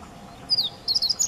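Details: Siberian meadow bunting singing at close range in a landscape garden at Higashi-Mikawa Furusato Park, May 2017; a brief burst of high, thin descending whistle followed by a quick run of sharp twittering notes.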